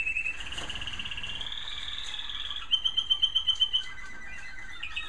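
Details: Evening song of a captive American Singer canary in a bird room: a smooth, slowly rising whistled phrase, then a bright rapid trill of repeated notes in the middle, followed by softer lower trilled notes.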